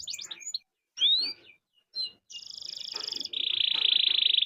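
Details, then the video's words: Canary singing in a long-rolling 'gacor' style, meant as a prompt to get other canaries singing: short high chirps and quick upslurred whistles, then a bright buzzy sustained roll held for over a second. "Kenari Gacor Roll Panjang || Pancingan Kenari agar cepat bunyi"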